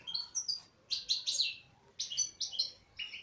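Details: Caged female goldfinch giving quick tinkling, twittering phrases of high chirps in clusters of three to four notes, each group followed by a short gap, in a quiet setting.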